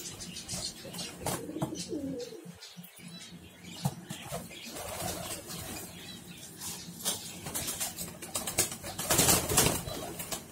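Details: Home-bred pigeons, a flock of about forty gola pigeons kept at home, giving low, soft coos amid frequent wing flapping and scuffling; sharp rustling clicks and bursts of noise throughout, indoors-sounding.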